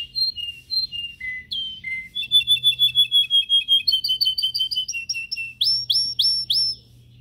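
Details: Canary in a cage, training song: varied whistled phrases shifting pitch, then a fast even run of sharp repeated notes and closing rolls of upswept chirps.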